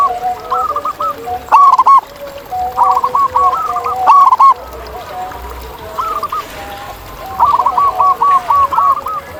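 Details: Several local zebra doves singing outdoors. Short phrases of sharp-edged, rolling coos repeat every couple of seconds, and birds near and far overlap in a steady chorus.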